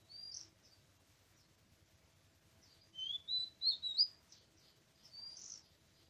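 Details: Oriental magpie-robin in a forest on 24 March 2017, heard while bird trapping: an opening high whistle, a pause, then a quick phrase of four or five clear warbled whistles and a softer closing note.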